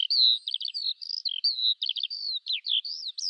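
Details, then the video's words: Eurasian skylark singing a fast, high chain of clear whistled notes mixed with quick stuttering trills, each phrase flowing straight into the next, with a background free of other sounds. "Жаворонок полевой (Alauda arvensis) *** Пение птиц"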